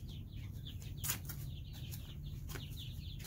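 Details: Domestic chicks from three groups hatched weeks apart, peeping in a steady chorus of short high chirps, many overlapping, with a low background hum and a few brief knocks.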